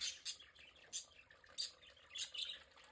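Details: Pet budgerigars enjoying their play area, calling in sharp high chirps and short squeaky notes in bursts about every half second, with softer warbling chatter between them.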